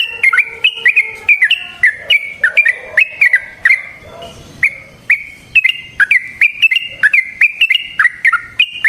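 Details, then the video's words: Clear long fighting song of a yellow-vented bulbul, used to lure and train other bulbuls: loud, liquid, bouncing phrases of rising and falling notes, a brief quieter gap, then more rapid warbling. "Burung TRUCUKAN GACOR Ropel Panjang Cocok untuk PANCINGAN Trucuk bahan dan MASTERAN Burung Trucukan"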